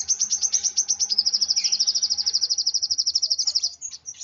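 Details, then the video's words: Excited sunbird delivering a rapid, unbroken trill of sharp, very high notes, speeding into a near-continuous buzzy rattle before trailing off. "Burung Kolibri Wulung Emosi Sampai ke Ubun Ubun.."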